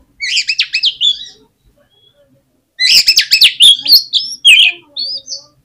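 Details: Oriental magpie-robin song used as a lure to provoke other magpie-robins into singing: two loud bursts of rapid, scratchy, varied high notes, about four per second, separated by a silent gap.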